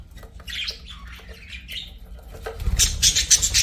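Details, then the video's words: Budgies warbling softly with squeaky, wavering notes, ending in a sudden loud run of rapid, high pulsed chirps. "BUDGIES SINGING & CHIRPING"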